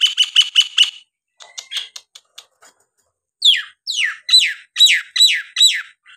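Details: Nias hill myna vocalizing as therapy to get quiet birds singing: a quick string of buzzy notes, soft clicks, then loud, harsh, downward-sweeping whistles repeated roughly every half second.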